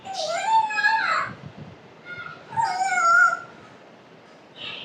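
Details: African grey parrot talking: two bursts of rich, wavering, voice-like sounds with stacked harmonics sliding up and down, separated by a quiet pause, then a short higher note at the end.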